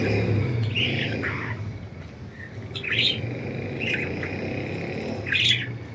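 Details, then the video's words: Budgerigars flying free: short rising and falling chirps spaced about a second or two apart, over a loud, constant low-pitched rumble. "Budgies Enjoying Freedom and Chirping"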